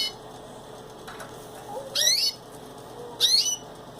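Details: Caged canary giving two loud, bright chirps with sharply rising sweeps, about a second apart, over a steady low hum in a quiet room.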